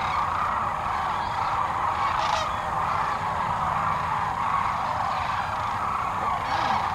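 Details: Sandhill cranes gathered in mid-March 2009 along the Platte River in central Nebraska during spring migration; a dense, continuous roar of many overlapping rattling calls from a large flock, steady throughout.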